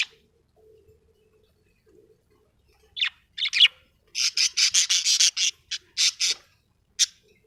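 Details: Happy pet budgerigar chirping: a few scratchy notes, then a rapid burst of about a dozen bright, high buzzy chirps over two seconds, ending with one more sharp chirp; otherwise quiet room.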